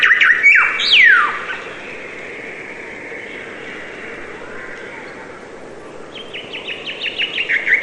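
Bright, swooping whistles open the sequence, then a quiet pause, then a fast run of short, high, downslurred chirps, about eight in under two seconds.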